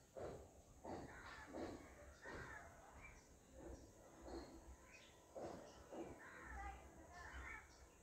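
Piapiac giving harsh, rasping crow-like calls in quick bursts, roughly one or two a second, over a steady background hiss.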